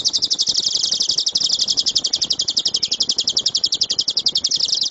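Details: Loud 'tembakan' song of a lovebird, a master recording for other birds. A very fast, even train of piercing buzzy notes at about four per second continues unbroken.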